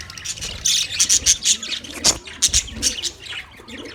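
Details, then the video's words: Budgerigars chirping in a colony: dense, high, rapid twittering and sharp chirps, bursts repeating every few tenths of a second over a constant soft chatter of many birds. "Budgies Parrot colony | Budgies chirping sounds"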